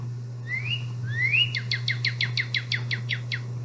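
Northern Cardinal song: two clear rising whistles, then a quick run of about eleven sharp, down-slurred notes. A steady low hum runs underneath.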